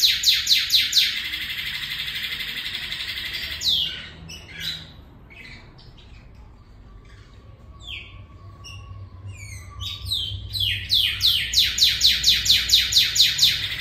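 A Northern Cardinal sings in a canary-like way. It gives rapid, rolling trills and bright chips, and ends with a fast series of high down-slurred notes over a faint indoor hum.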